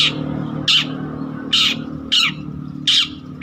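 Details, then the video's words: Long-tailed shrike of the trotol type, singing actively, kept as a lure or master song for training other birds: loud harsh rasping squawks repeated roughly every second, with a low steady hum behind. "Burung Cendet Trotol Gacor Untuk Pancingan atau Masteran Juga Bisa"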